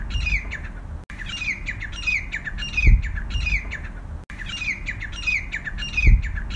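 Grey francolin giving loud, harsh, repeated ringing phrases that rise in pitch, with brief low thumps and background hiss between calls.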